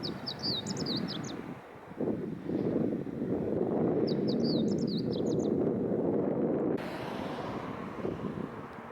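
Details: Wild meadow bunting: a brief, high, rapid twittering phrase sung twice, near the start and again about four seconds later, over a loud, steady, low rumble like passing traffic.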